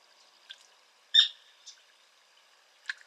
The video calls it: Sora (Porzana carolina) Call